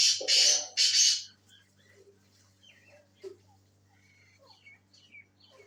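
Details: Black francolin known as Sindhi tetar, a bird for sale, giving two loud grating buzzy notes back to back, then quiet with scattered faint chirps and a steady low hum.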